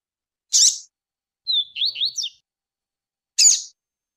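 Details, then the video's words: Rusty-collared seedeater recording meant for training birds, with female calling and male song of the tui-tui style; two sharp high chip notes framing a short run of quick rising-and-falling whistled slurs, in silence. "Piado de fêmea de coleiro,e canto de coleiro TUI-TUI."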